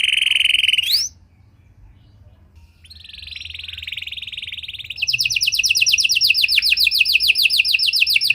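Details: Panda canary with rich cengkok song for luring and training other canaries: a buzzy note rising sharply, a pause, then a soft steady trill swelling into a loud fast rattling trill of rapid repeated notes.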